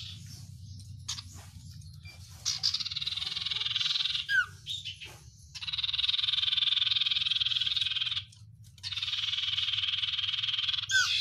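Oriental white-eye singing long, dense, high buzzy trills of several seconds each, broken by brief pauses and sharp chips, over a steady low hum.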